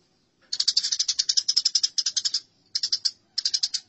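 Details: Fighting Eurasian tree sparrows: after a moment of quiet, a sustained volley of quick, grating chirps, followed by two shorter bursts after brief pauses.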